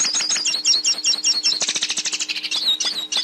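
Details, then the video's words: Pintassilgo, the hooded siskin, singing a training song for a bird learning to sing: a quick high twittering series of about two to three notes a second, then a dense buzzy burst and a few clear whistled notes. "Canto Pintassilgo - Canto Para Ensinar Seu Pintassilgo Ouça o Canto Pintassilgo"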